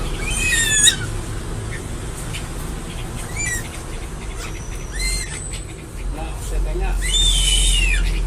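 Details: Crested eagle calling in scattered high whistles, each briefly rising then falling, one clear call near the start and a louder one near the end, with weaker notes between and a steady low hum behind.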